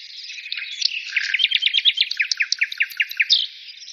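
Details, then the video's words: Singing bird delivering a steady run of sharp, evenly spaced high chirps, about four per second, after a brief warbled opening. "birds singing"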